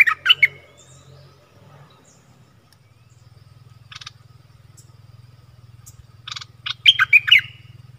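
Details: Stripe-throated bulbuls, a caged decoy bird with wild birds that approached but stayed up, possibly tending chicks, 1 April 2021: short bubbly warbled phrases open the recording, and after a quiet stretch with a low hum a longer gurgling burst follows.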